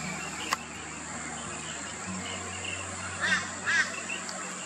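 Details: Rainbow bee-eater calling and feeding in Australia, afternoon into sunset: soft rolling chirps, then two louder, lower trilled calls close together near the end, with a low hum and a sharp click at the start.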